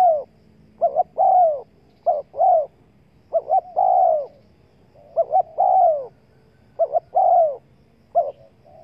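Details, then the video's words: Spotted dove used as a lure for trapping wild doves, giving rhythmic coos in short groups: a brief note then a longer, falling, slightly trilled coo, phrases repeated about every second to two seconds over a quiet background. "Chim cu gáy chiêu kích mồi tập bổi nhanh nổi hiệu quả"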